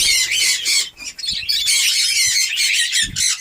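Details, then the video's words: Captive breeding colony of budgerigars in Darbhanga, Bihar, just beginning to breed: continuous high, scratchy chattering and squawking from many birds, with a short lull near the one-second mark and a few low thumps. "Badguies Parrot New Colony Ready // Badguies Parrot Breeding Start //"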